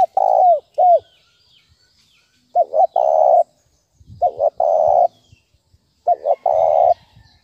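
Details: Thúc bổi lure call of a spotted dove: two brief coos, then three phrases, each a quick double note followed by a long drawn-out coo. Faint low rumbling sounds between phrases.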